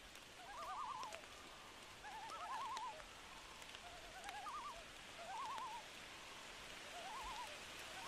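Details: Loon on a rainy night giving wavering, yodel-like calls, a quavering phrase every couple of seconds, over a steady hiss of falling rain.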